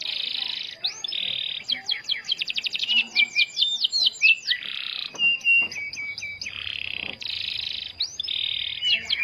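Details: Starblue canary singing a lure song meant to prompt other canaries to sing: buzzy harsh blocks alternate with rapid rising whistled trills and short upward-sweeping notes, a varied rolling sequence.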